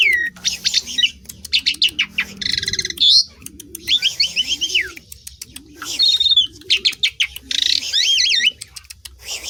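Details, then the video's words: Varied song of an Asian pied starling, with harsh chattering phrases, clicks and wavering whistled notes in separate bursts, while low, rhythmic cooing continues quietly behind. "BURUNG JALAK LANGSUNG BUNYI SEMUA,, STARLING"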